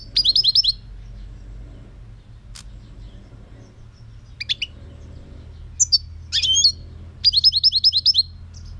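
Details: European goldfinch singing in 2018: short bursts of fast, high, liquid twittering notes at the start and end, with scattered sharp chips and a buzzy note in between.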